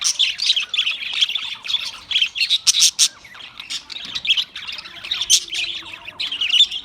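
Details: Australian parrot chirping: dense, scratchy high squawks and tweets tumble over one another almost without pause, with a few sharp louder bursts.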